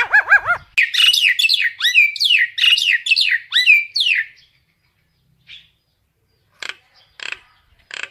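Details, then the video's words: Common myna calling its flock, opening with a bouncing string of arched notes, then a rapid chattering series of downward-swooping whistles lasting about three seconds, with a few loud clicks after a short silence. "Tiếng sáo nâu gọi bầy"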